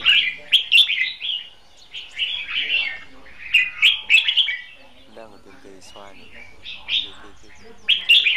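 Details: Caged red-whiskered bulbul kept as a decoy for trapping, giving a contest song: bright, warbling whistled phrases in quick bursts, with short pauses between phrase groups and quiet lower chatter.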